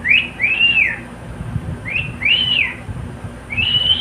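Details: Pet cockatiel, a male that enjoys singing along with a companion, giving clear arched whistles: two paired rise-and-fall notes, then a third note rising and held high at the end.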